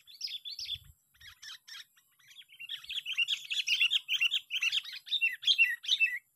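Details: Sooty-headed bulbul recorded in a park during bird trapping, singing bubbly, chattering phrases. A few sparse notes come first, then a dense run of quick, warbled notes repeated about twice per second, growing louder toward the end.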